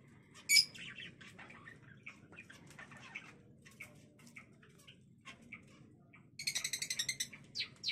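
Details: Zebra finches kept in a small breeding cage at home give short, high nasal calls, one loud peep near the start, scattered soft chips, then a rapid series of about a dozen quick notes toward the end.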